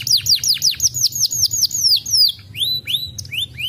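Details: Canary singing a fast series of bright downslurred whistles repeated several times a second, then slower rising whistled notes near the end, over a faint low hum.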